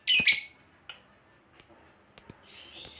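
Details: Fighter lovebird, played to provoke others into song: a pair of quick harsh squawks, then scattered thin high chirps and a softer raspy note.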